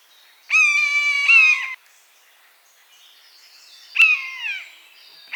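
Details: Buzzard, a bird of prey in natural habitat, gives a long mew of over a second. After a pause comes a shorter falling mew, and a third call starts at the very end. Soft background noise.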